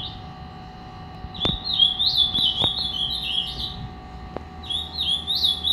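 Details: An agitated three-year-old ultramarine grosbeak sings a fast run of rich, slurred, warbling notes, pauses, then starts again, over sharp knocks and a low steady hum.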